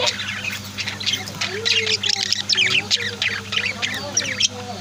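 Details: At home, pet budgies and lovebirds keep up continuous high twittering and squawks, mixed with lower gliding warble notes, over a steady faint hum.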